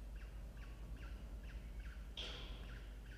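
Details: Peregrine falcon at a water-tower nest box in Orange, New South Wales, Australia, delivering small prey to chicks in October; quick series of short harsh notes, then a louder drawn-out screech, with low background rumble.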